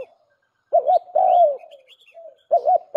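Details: Lure call of a spotted dove, a double warbling coo followed by a sustained, slowly falling coo, a soft short note between phrases and faint twittering from other birds.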